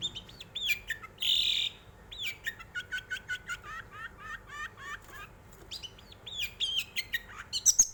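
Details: Long-tailed shrike song played to provoke other birds into singing: a varied, rambling medley of whistled and wavering notes, one drawn-out buzzy note, then a rapid run of looping warbles, ending in sharp high squeaks.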